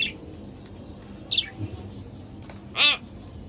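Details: A pair of pet budgerigars; a few short harsh squawks with stacked harmonics, the loudest near the end, separated by quiet gaps over a faint low hum.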